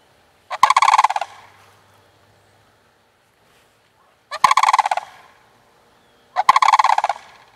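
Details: Frolicking sandhill crane pair, a guy and gal jumping around before mating season, calling in three short rattled, trumpeting bursts spaced about two to four seconds apart, otherwise quiet.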